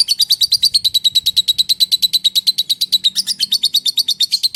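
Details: Lovebird giving its long ngekek song: a fast, steady chain of sharp high chirps, about six per second, running without a break for nearly five seconds, with a faint low hum underneath.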